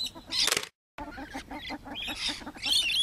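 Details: Rainbow lorikeets in trees, filmed while travelling: loud harsh screeches and dense rapid chattering from several birds, broken by a short silent gap.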